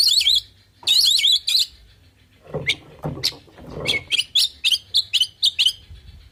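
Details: Oriental magpie-robin delivering 'full isian' song intended to make other birds respond. Wavering trilled phrases give way to low rasping notes, then a rapid run of sharp, high chips.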